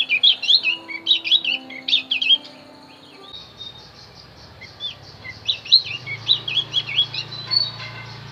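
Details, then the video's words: Javan grey-throated white-eye singing, used to lure wild birds: bursts of high, thin, rapid chirps and twitters, pausing midway before a second run of sharp chattering notes, over faint rural background noise. "opior Jawa pasti nyaut pancing dengan Opior Jawa ini"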